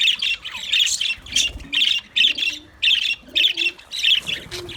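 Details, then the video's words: White budgies giving loud, scratchy squawking bursts in regular pulses about every half second, with faint soft lower notes underneath. "White Budgies Bird vlog | Parrot k mastiyun"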